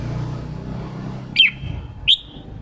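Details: Red-whiskered bulbul, a newly caught bird being prompted to sing in the 'ché' style: two short, loud whistled notes, each sliding downward and then levelling off, about 0.7 seconds apart, over a steady low engine-like rumble.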